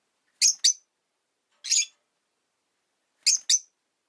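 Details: Five pet rosy-faced lovebirds in a windowside cage, chirping in winter: paired shrill, high chirps, then a single harsher note, then another quick pair, well spaced and clear.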